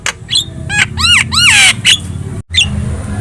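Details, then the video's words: Energetic Javan myna song meant to draw responses from other birds: arched, slurred whistles in quick pairs swell into a harsh, drawn-out screech, then a brief pause and a squeaky note, over a low hum. "SUARA MASTERAN JALAK KEBO GACOR"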